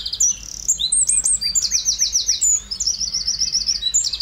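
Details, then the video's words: Eurasian wren singing: a loud, rapid, high-pitched outpouring of sharp whistled notes and fast trills, delivered in quick bursts with barely a pause across the whole recording. "Zaunkönig singt"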